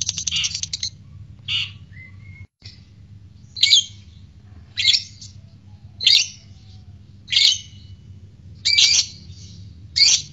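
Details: Lovebird calls meant to provoke other lovebirds into their trilling ngekek song: harsh, shrill chirps, each about half a second long, repeated roughly every one to one and a half seconds, with a low steady hum beneath.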